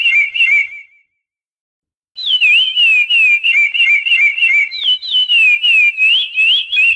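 Chestnut-bellied seed finch singing loud, pure whistled phrases that warble up and down, about three notes a second, after a brief opening burst and a pause.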